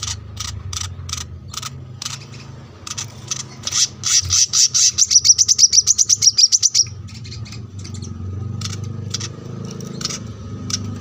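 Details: Gacor song of the brown-throated sunbird, recorded as masteran for cage birds at a house by a road: steady high chips build into a rapid, accelerating metallic trill, over continuous low traffic rumble.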